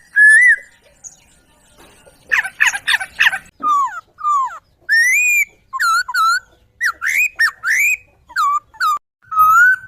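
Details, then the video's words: Whistled laughingthrush song for training songbirds: separate loud notes, some rising, some falling or looping, with a burst of harsh chattering, delivered in irregular phrases across quiet gaps. "Masteran Burung Poksay"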